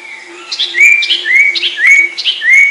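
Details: Master recording of the sertu song of a common iora (cipoh): clear upslurred whistles repeated about every half second, each followed by brief higher chirps, over a faint steady low hum.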